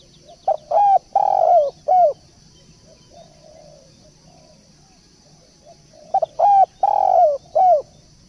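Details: Turtle dove cooing: a loud phrase of three to four clear, arched, slightly throaty notes, a long pause with faint murmuring, then the phrase again, with a steady low hum beneath.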